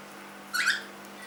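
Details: Three-month-old pet cockatiel giving a single short, clear chirp that rises sharply, lasting about a quarter second, over a steady low room hum.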